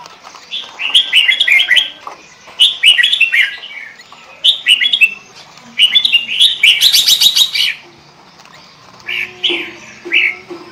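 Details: Kutilang, the sooty-headed bulbul, singing in the pikat gacor lure style: six or so short, warbling phrases of liquid, slurred notes spaced a second or two apart. One phrase carries a harsher, buzzy edge near the middle.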